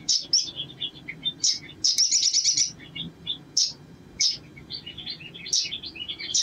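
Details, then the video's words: Sharp high chirps from a crimson sunbird, spaced about a second apart and mixed with soft twittering notes and one short dry rattle, with a low hum in the background. "SOGON GACOR PANCINGAN NGLEPER"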